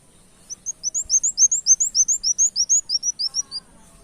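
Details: Lure recording of a brown-throated sunbird singing busily with canary-style notes: a quick string of high, thin upward-sweeping chirps, starting softly and swelling, roughly three per second.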